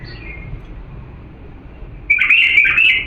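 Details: Diyala bulbul singing for chick training: after quiet background hum, one loud, fluttering whistled phrase of about a second closes the recording.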